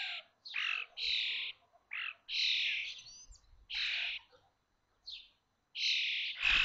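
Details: Common starling chicks in a connected nest at Théding, on the May 19, 2024 fledging day of five young aged 21 days: loud grating buzzy calls in irregular bursts, ending with a sharp knock-like thud.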